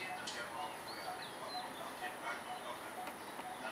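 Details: Coppersmith barbet (Megalaimer haemacephala) calling in the morning at a home: short, low, hollow notes repeated several times a second over steady loud hiss, with faint higher chirps from other birds.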